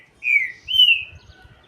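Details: Green-winged saltator (trinca-ferro): two loud whistled phrases, the first sliding downward, the second slightly higher and level, followed by a faint thin whistle and light low rustling.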